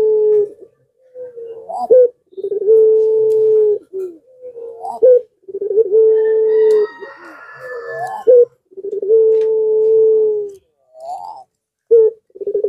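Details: A Barbary dove coos over and over, used as a lure call to prompt other doves to answer: long, low, steady notes broken by short rolling, rising phrases, about every three seconds.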